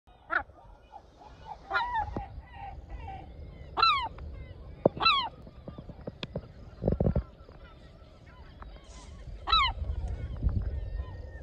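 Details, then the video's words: Female herring gull nesting by a shed entrance on a bird sanctuary island, eggs not yet hatched, scolding an intruder: loud, harsh, downward-slurred yelping calls in short bursts every couple of seconds, with low thumps and background noise. "Herring gull talking smack"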